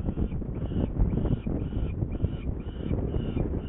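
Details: Saker falcon in Hungary, 21 May 2019 at 11:30, with the bird Csenge going to get prey while the falcons seem not hungry. It gives harsh, nasal calls about twice a second, partly masked by a steady low wind rumble.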